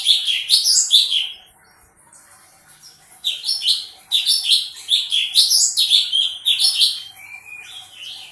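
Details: Lively sooty-headed bulbul in full song, pouring out tight clusters of sharp, warbling, rising-and-falling chirps, pausing briefly and then resuming with three more energetic bursts.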